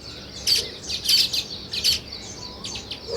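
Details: Sparrow chirping arrives in short, loud bursts of sharp, high tweets roughly every half second, with quieter chatter filling the gaps.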